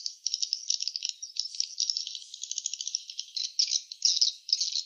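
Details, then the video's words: Rapid dry rattling and clicking from swiftlets at a nest, high-pitched and nearly continuous, with brief louder buzzy bursts toward the end. "suara sarang burung walet ( swiftlet sound )"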